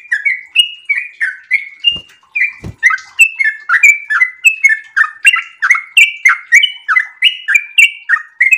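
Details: Sooty-headed bulbul in breeding condition delivering a long, chatty 'ropel' song: a steady chain of short, liquid, warbled notes that dip and rise. Two dull knocks sound near the second and third seconds.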